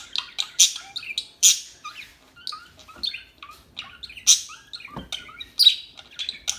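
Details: Busy chattering of small birds: many overlapping high chirps, warbles and piercing notes, with a faint low thump midway.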